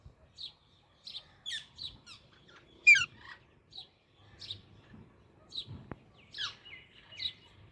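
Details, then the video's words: Baby Alexandrine parakeet chirping: short high tweets in an uneven series, with one louder, sharper note near the middle and quick rising and falling chirps toward the end. "Super Cute Baby Alexandrine Parrot Natural Sounds | Baby Parrot Chirping Sounds"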